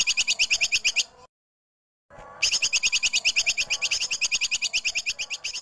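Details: A female Streak-headed White-eye, in a songbird training recording, gives rapid, high, sharp chirps, about three a second, in long runs broken by one brief silent gap.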